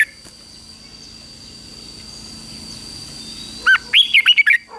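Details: Red-whiskered bulbul during 2024 morning song training for contest fighting song: after quiet hiss, one short note, then a brisk burst of bright, bouncing whistled notes.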